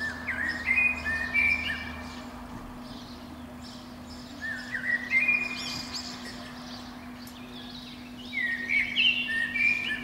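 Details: Eurasian blackbird singing from the top of a pine beneath a window on a spring morning; three fluty, warbling phrases separated by short pauses, set over a steady low hum.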